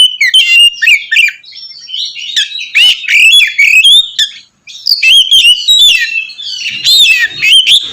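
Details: Oriental magpie-robin in loud continuous song meant to provoke other magpie-robins; rich varied whistles, trills and harsh notes mostly between two and five kilohertz-range high pitch, dense phrases with one short pause midway.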